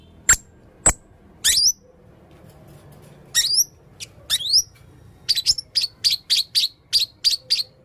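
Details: Shrill, squeaky upslurred notes from a red-throated male blue-crowned hanging parrot, a few scattered at first, then a rapid even series of about ten high chirps.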